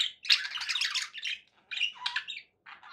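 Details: Pet budgerigar giving a loud burst of raspy warbled chatter, then a pause, then shorter squawky phrases separated by silences.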